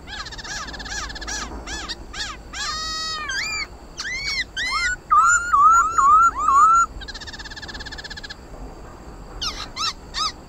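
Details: Black laughingthrush (khướu mun) singing in a competitive, fired-up style, used to stimulate pet birds to sing: a varied run of rich whistled and harmonic phrases, then a quick series of looping whistles repeated about twice a second, ending in short bright notes.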